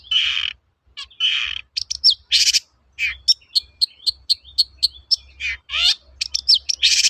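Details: Training lure of long-tailed shrike song: two grating buzzes, then a fast series of sharp clipped notes repeated several times a second, mixed with rough churring phrases.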